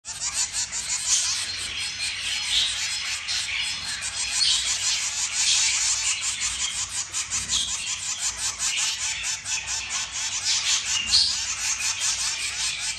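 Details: Zebra finch family, a mother and father feeding three chicks: dense, continuous high-pitched buzzy chatter of rapid short strokes throughout, swelling and easing slightly in loudness, with no other clear sounds.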